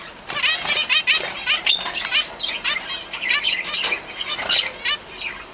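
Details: Zebra finches beside a chick about to hatch, filmed on a Canon Ixus 75: a busy mix of short high chirps, nasal beeps and quick chattering notes, with a steady faint high-pitched whine in the background.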